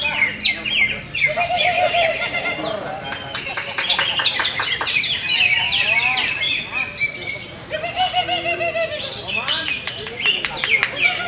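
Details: Greater green leafbird, a bird with many contest wins, pouring out a busy high song of sharp chirps, rising and falling whistles and short trills in bursts, with brief gaps and some clicks between phrases.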